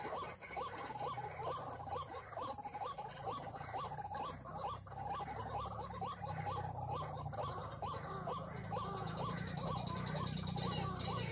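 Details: White-breasted waterhen (ruak-ruak) lured with MP3 playback and a lure: a rapid run of hooked nasal notes, about two per second, over a steady low droning hum.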